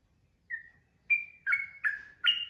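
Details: A trucukan, or yellow-vented bulbul, sings in the rapid ropel style. One soft whistle is followed by four loud, slurred, chattering notes that step between pitches at roughly half-second intervals.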